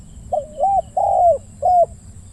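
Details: Spotted dove used as a decoy while luring wild doves, giving a deep 'big voice' coo of the kuang style: four smooth, low arched hoots, the third longest, spaced about half a second apart over a quiet background.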